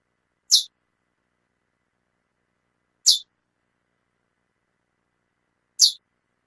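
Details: Calling female chestnut-bellied seed finch gives single short, sharp, high chips spaced roughly two and a half seconds apart, three in all, with silence between them.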